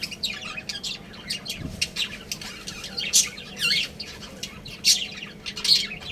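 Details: Breeding pair of budgerigars chattering: dense bursts of short, scratchy chirps and squawks, mostly high-pitched, rising and falling irregularly with brief pauses, over a steady low hum.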